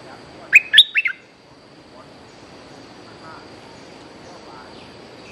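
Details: Bulbul song used as a luring call, a feisty young bird singing actively: a quick burst of three to four bubbly, liquid notes, then quiet with a faint hum, and one more note at the very end.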